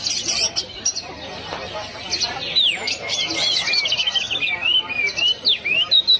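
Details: Orange-headed thrush singing hard: a run of sweet, bending whistles rising and falling, mixed with sharp high chips and quick flourishes, loud and continuous against a soft murmuring background.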